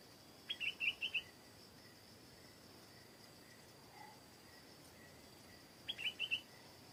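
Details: Stripe-throated bulbul in a garden: a short bright warbled phrase of four quick slurred notes near the start, then a similar burst near the end, with a quiet steady insect hum throughout.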